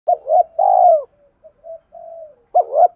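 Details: Spotted dove giving the urging "thúc" style of cooing, a recording used to stir a decoy bird into cooing: two loud, hoarse, rolling coo phrases framing softer, lower murmured coos, clean and quiet background.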